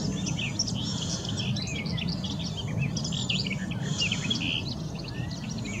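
Garden warbler giving a fast, continuous, rich warble of mellow chirps and short phrases, over a steady low rumble of wind or distant traffic.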